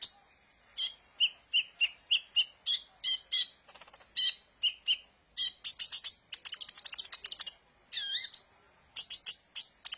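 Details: Sunbird song serving as a lure for training birds: evenly spaced high chirps, then a fast, dense twittering trill and a swooping downward slur before more sharp notes.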